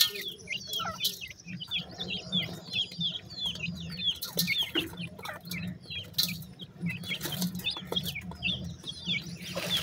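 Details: Group of pheasant chicks eating feed: continuous chorus of high descending peeps, many chicks calling at once, over a steady low hum and light pecking noises.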